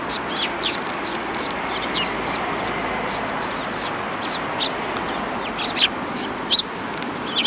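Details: Sparrows on a Tenmangu shrine approach, 12 December 2019, keep up an even stream of short high chirps, roughly several per second, above a noisy outdoor background.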